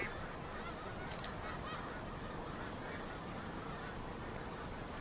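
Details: Large flock of snow geese on Oberly Road in Alpha, New Jersey, USA, on 6 February 2026. Dense, continuous chorus of honking merges into a roaring wash of sound, with no single voice standing out.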